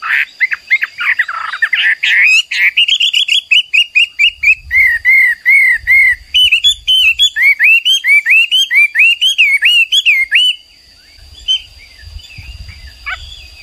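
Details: Hwamei, the Chinese laughingthrush, a popular cagebird, singing a loud, lively song: rapid repeated whistled phrases, some slurred and rising, others looping downward, roughly two per second, with a steady faint high tone in the background.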